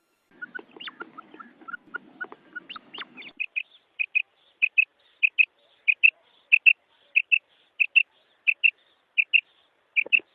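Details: Female common quail recorded in the wild, a call used to attract males: soft, high paired notes, about one pair every second, steady and evenly spaced, after a few seconds of scratchy rustling and clicks.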